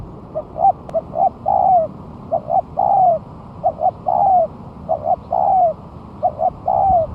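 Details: Spotted dove recording for luring, made after a month of moulting and singing actively: repeated phrases of two quick short coos followed by a drawn-out falling coo, about every 1.3 seconds, steady and clear.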